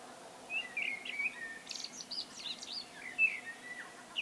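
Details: Common blackbird solo singing, with mellow whistled phrases broken by bursts of high, scratchy twitters, and a final clear whistle; faint steady background hum.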